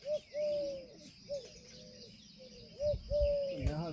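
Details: Indian peafowl giving a run of ringing tonal calls, short hooked notes alternating with long level drawn notes, loud and close, with twittering birds behind and a burst of voices and handling noise at the end.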